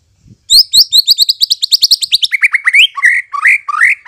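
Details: White-rumped shama lure song to make birds reply and sing openly: a rapid, accelerating series of sharp high chips, then a drop into lower, fuller whistled phrases.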